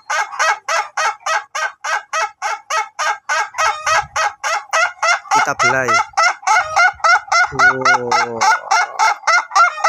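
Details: Ayam Ketawa laughing chicken, duration type, crowing in long training sessions: a steady, rapid series of clipped, cackling syllables repeated about three and a half times a second. Two lower, drawn-out moaning notes break in partway through.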